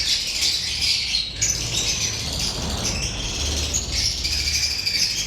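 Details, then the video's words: Steady chatter of lovebirds, many high squeaky chirps blending into a constant twittering wash, with a faint low hum underneath. "Love birds chirping sound"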